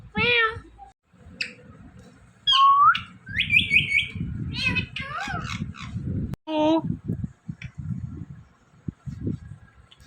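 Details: Talking Indian ringneck parakeet mimicking words and a meow: a string of harmonic word-like syllables, rising whistles and buzzy slurred notes over about ten seconds, with a low-pitched background rumble throughout.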